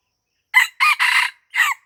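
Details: Red junglefowl crowing during a luring session at a house in Lamteuba, Aceh, Indonesia: a sharp opening note, two longer joined notes, a short pause, then a final falling note, all within about 1.3 seconds against silence.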